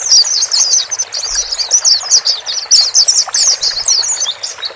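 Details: Male and female white-eyes calling to help a newly bought caged bird adapt; rapid high twittering chirps pour out steadily, slurred and overlapping, with faint low knocks in the background.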